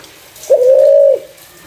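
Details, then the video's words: Single clear coo from a spotted dove used as a lure for other doves, a smooth, steady, mid-pitched note lasting under a second with a slight rise at the start. "Burung Terkukur // Suara jernih cocok untuk pancingan"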